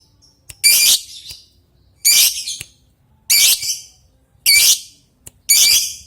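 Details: Lovebird calling an opponent, a long typing-style call continuing into long chattering: five loud, harsh, shrill bursts about every one and a half seconds, each rasping and high, with brief clicks between them.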